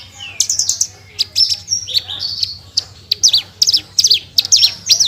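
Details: Javan bush lark (branjangan) singing gacor in full tembakan style: rapid high chirps and short buzzy trills in quick bursts, with rising and falling whistled slurs between them, over a faint low hum.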